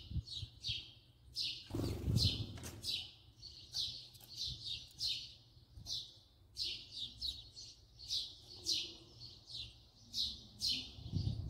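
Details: House sparrow filmed at close range, chirping steadily in a long run of short, buzzy, repeated notes, several per second at times, with a brief low rumble and rustle near the start.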